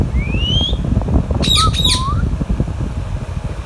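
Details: Alexandrine parakeet while eating mango: a rising whistled note, then two harsh broadband squawks and a short upslurred whistle, against low background rumble.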